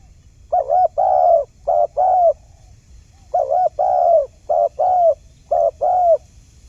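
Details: Lure call of a wild spotted dove for bird trapping, a soft low cooing in two-note pairs, a quavering short note then a drawn-out hoot, repeated in bursts with short pauses between.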